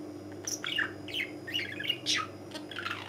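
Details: A tame, cheerful budgerigar kept indoors gives a string of quick, high, warbling chirps and short squeaky notes, with a low electrical hum underneath.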